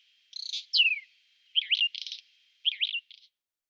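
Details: A Whinchat sings in April 2020, spring, recorded with a Nikon Coolpix P1000: three short phrases, each a wavering whistle followed by a dry buzzy rattle, about one second apart, with a falling slurred note early on.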